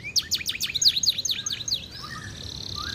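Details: Canary delivering a burst of sharp descending chirps, followed by a thin sustained high tone with soft lower warbles beneath.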